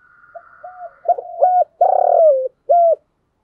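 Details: Decoy spotted dove calling to stir wild doves into cooing fast and coming in to fight; a faint drawn-out tone gives way to loud, clipped coos, a long rolling coo and a final strong note.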